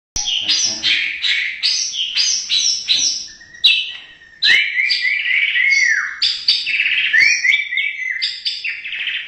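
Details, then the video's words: Indonesian white-rumped shama (murai batu) in loud, rich song: rapid varied whistled phrases, slurred and descending notes mixed with sharp clicks, a short break near the middle, then more fluty rising and falling phrases. "MURAI BATU INDONESIA Burung predator cerdas bersuara emas"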